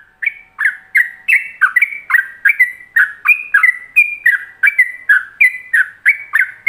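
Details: Yellow-vented bulbul performing ropelan-style song, recorded as a model for other bulbuls: an unbroken, lively run of whistled notes with varied rising and falling slurs, about three each second.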